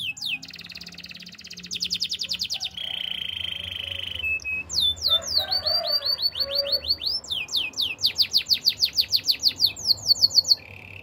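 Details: Practising canary delivering fast repeated chips, a flat buzzy roll, then cascades of upward-sweeping whistles that speed into a rapid rhythmic trill, ending on a short buzzy note.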